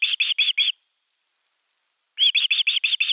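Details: Osprey guarding its nest at nest #3 on 31 August 2021. Four quick, piercing whistled notes, about a second and a half of silence, then six more in a rapid burst.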